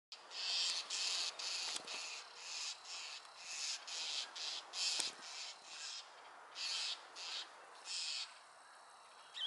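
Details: Wild owl giving harsh, breathy hissing bursts, each about half a second long, repeated steadily over nearly ten seconds with short quiet gaps between.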